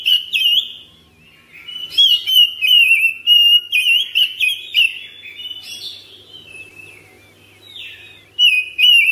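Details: Captive household oriental magpie-robin (kacer) in full ngropel song with long breath: a dense run of loud, varied whistles and twisting notes for several seconds, a softer gap, then another strong burst near the end.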